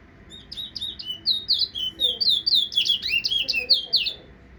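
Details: Guyanese Towa Towa finch whistling: a quick run of high, clear whistled notes, many sliding down then up, delivered in a rapid rising and falling series for about three seconds, quiet room otherwise.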